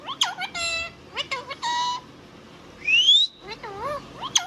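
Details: Talking Indian ringneck parrot: quick harmonic syllables and clicks, a long clear upward-gliding whistle, then wobbling rise-and-fall notes ending in a sharp chirp.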